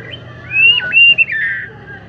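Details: White-rumped shama singing in the afternoon, one rich whistled phrase of a long, high, wavering note that breaks sharply and then slides into a lower, fuller tone, over a faint low hum.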